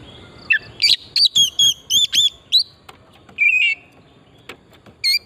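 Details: Oriental magpie-robin song played as a lure to stimulate singing, from pristine forest: a rapid run of varied clear whistles, slurred up and down, some with buzzy overtones, then a longer warbled phrase and a final whistle.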